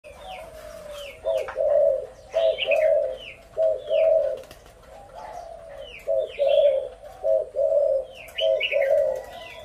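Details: Spotted dove giving low, hollow coos in short bursts of two or three notes with brief pauses between, while small birds chirp and twitter in high, downslurred notes throughout.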